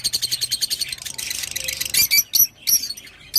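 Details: Rosy-faced lovebird song: a fast run of shrill, squeaky chirps pulsing several times a second, then a few sharper separate high squeaks with short pauses between them.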